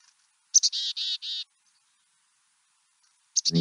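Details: A backyard chickadee in Marion County, Ohio, gives its namesake chick-a-dee-dee-dee call: two sharp, high chick-a notes, then four harsh, buzzy dee notes. After a pause come a few more quick notes as a person starts speaking.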